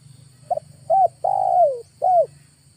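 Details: Spotted dove calling as a lure in August, four-part phrase: soft short note, rising-falling coo, drawn-out coo gliding down in pitch, and a final clipped coo, with faint low hum behind.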